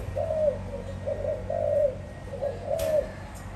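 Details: Spotted dove, 2021: short soft coos in quick groups, about one per second, with a brief tap-like noise near the end and faint background hum.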